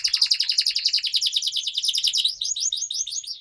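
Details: Canary training song for young canaries: an unbroken, very fast rattling trill of high chirps that shifts into a looser run of quick upslurred notes, over a faint low hum.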